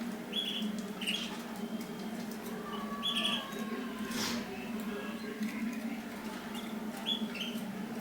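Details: Mosaic canaries at mating time give brief, high, clear chirps, alone or in pairs, at irregular intervals. A constant low hum and a few clicks run underneath.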